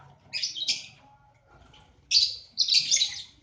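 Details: Breeding-aviary lovebirds in Aceh give paired, harsh, rasping high squawks, two near the start and a louder pair after a pause, over a faint low background hum.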